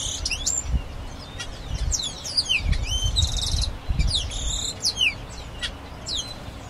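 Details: Grayish baywing singing a jumble of quick descending whistled notes, ticks and short buzzy rattles in bursts through the clip, with low rumbling thumps of wind or handling noise underneath.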